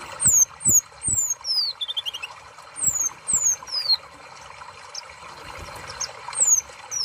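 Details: Sunbird song: long, thin whistles sweeping downward from very high, a short buzzy trill, and scattered clicks, with a steady hiss behind.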